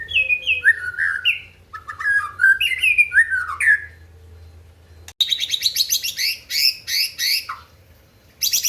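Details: White-rumped shama singing to provoke rivals: rich whistled phrases swooping up and down, then a burst of dense, buzzy, chattering notes after a brief break, with a low hum running underneath.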